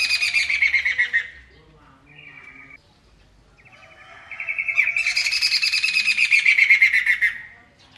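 A White-browed Laughingthrush gives loud, harsh chattering phrases of rapid, slightly descending notes, about four per second, in two long bursts with a quieter pause between.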